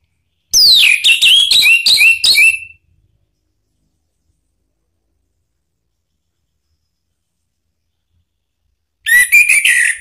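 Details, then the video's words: Orange-headed thrush lure song meant to spur a reluctant bird to respond: a fast, tumbling sequence of sweet whistles dropping in pitch over about two seconds, a long pause, then another energetic whistled burst. "isian TAJAM !!! bikin ANIS MERAH EMOSI NYAUT NGEPLONG ¦ PANCINGAN AM ¦ TERAPI MACET"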